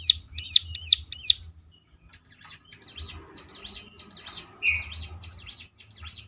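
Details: Bar-winged prinia, locally ciblek, used as a lure for other ciblek to answer: four loud high chirps in quick succession, then a softer, scratchier jumble of rapid twittering notes with a low hum underneath.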